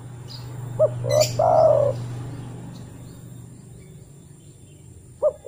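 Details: Spotted dove call played as a lure to make another dove call; in the wild it draws other doves. One fainter three-part coo ending in a long falling note, over a steady low hum, then the first note of another phrase.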